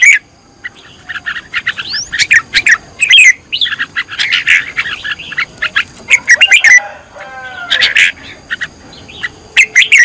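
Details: Red-whiskered bulbul being trained as a decoy, giving scattered sharp chirps and warbled snippets over a low hiss, with a series of rising whistled sweeps partway through.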